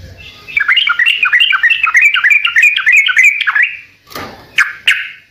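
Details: Sooty-headed bulbul singing a fast warbling run of rising and falling whistled notes for about three seconds, ending with two separate sharp chirps.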